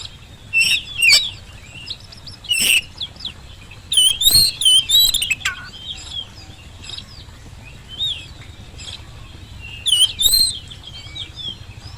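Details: Oriental magpie-robin song played to coax silent birds into answering: scattered whistled phrases and harsh sharp notes, with a busy warbled passage and long quiet gaps between bursts.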